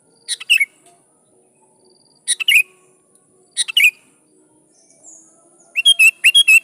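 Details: Sooty-headed bulbul singing briskly to provoke rivals and draw replies from wild birds; three separate bubbly phrases with a slurred falling ending, then a faster run of bright repeated notes near the end, with a faint high whistle between.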